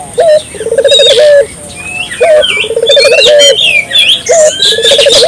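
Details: Repeated rolling coos from a lively Barbary dove, used to prompt local doves to call: low bubbling trills ending in a held note, three phrases in quick succession, with twittering and whistling birds above.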